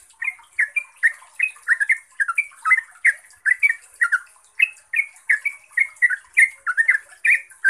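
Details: Yellow-vented bulbul pouring out a fast ropel lure song meant to draw answers from other trucuk: continuous, jumbled bubbly chirps, about two to three per second, gently varying in pitch.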